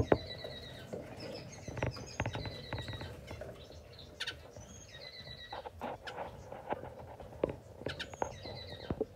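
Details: Masked grass finches giving short nasal calls with stacked harmonics, scattered irregularly among clicks, rustling and tapping, several birds calling close together.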